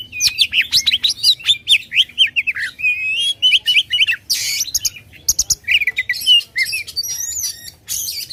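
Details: Oriental magpie-robin, a loud, energetic bird used to provoke contest birds, singing a rapid run of high whistled slurs and chattering notes, then harsh buzzy bursts and sweeping whistles in quick succession.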